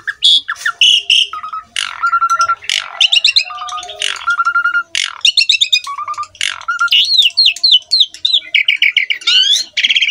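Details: Asian pied starling in full, lively song, a master recording for young birds to copy: rapid varied phrases of harsh chatter, clear whistled notes and rattling bursts, delivered almost without pause.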